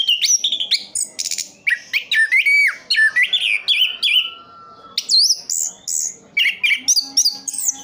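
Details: Captive Orange-headed thrush from Sidoarjo, East Java, pouring out a long, nonstop medley of rising and falling whistles, buzzy bursts and high squeaks, with a short quieter pause midway.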